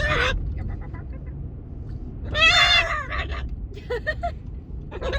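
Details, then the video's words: A pet macaw gives three harsh, raucous squawks with shorter chattering notes between them, over a low steady rumble. "Sounds of a macaw"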